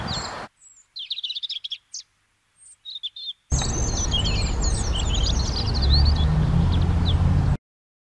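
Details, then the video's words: Eurasian treecreeper (Certhia familiaris) gives thin, very high-pitched, sibilant notes in short bursts, followed by a run of high chirps over steady low rumbling background noise. "Šoupálek dlouhoprstý, Eurasian Treecreeper, Waldbaumläufer, Taigaboomkruiper, пищуха"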